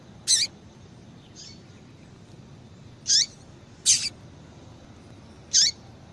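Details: Female Double-collared Seedeater giving repeated calls meant to stimulate male song. Short, high, sharp chips come at irregular intervals of one to two seconds, one of them doubled, with a faint quieter note early on.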